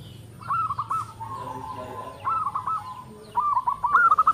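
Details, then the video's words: Local zebra dove with a big voice and tight note spacing, meant to draw replies from other doves: stuttering groups of quick mellow coos, each trailing into a longer drawn, slightly lower tone, repeated three times with rising loudness. "PERKUTUT LOKAL SUARA BESAR NADA RAPAT MANTAB, YANG LAIN PASTI NYAUT"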